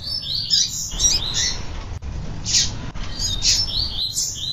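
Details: A female double-collared seedeater, calling persistently and used to stir males into song, gives high, chirpy calls in quick irregular bursts, with brief buzzy notes mixed in over a low background hum.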